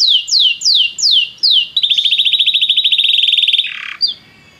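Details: Belgian canary singing to warm up other canaries, opening with slow repeated falling whistles, then a long rapid rolling trill, a brief harsh note and a fading whistle.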